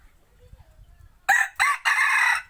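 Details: Rooster used as a hunting decoy crows loudly: a broken, harsh cock-a-doodle in three bursts, the last held longest, after a quiet start with low rumbling and a faint distant call.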